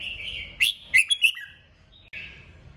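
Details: Red-whiskered bulbul giving a strong kích bổi song, meant to stimulate other bulbuls to sing: a soft warbled phrase, then loud sharp chirps in a quick burst of three or four, ending in a short bubbly note.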